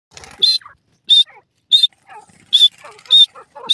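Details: Captive grey francolin (dakhni teetar) kept at home, giving short shrill high whistled notes about every half second to second, each a brief piercing tone, with human speech murmuring quietly in between.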